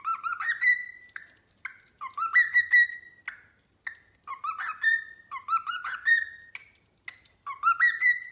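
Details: Pet cockatiel singing a string of rising, warbled whistle phrases, each ending in a held note, repeated with short breaks between them.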